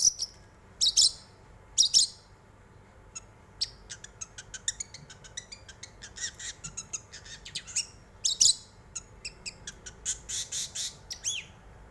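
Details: Long-tailed shrike song meant to provoke other birds to sing: harsh scratchy bursts open the passage, then a long run of dry ticking clicks and rasping notes, with louder grating bursts returning near the end.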